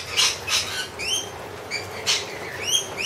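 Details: Wild lorikeets being fed honey give sharp, screechy calls, short rising and falling squawks repeated irregularly several times a second, with hissing bursts of noise between them.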